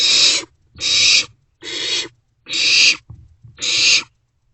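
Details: In a nest box shortly before 2 am on 27 March 2024, barn owlets share a meal of a vole. Five loud, breathy screeching hisses follow one another rapidly, with short gaps between them.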